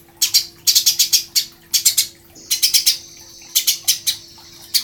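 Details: Eurasian tree sparrow song used as a master recording for training songbirds: bursts of sharp, high chirps in quick runs of three to six notes with short pauses, plus a steady low hum underneath.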